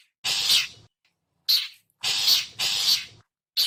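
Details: Long-tailed shrike characteristic call used as a bird lure: loud, broad raspy screeches, two long ones back to back, separated by short silences.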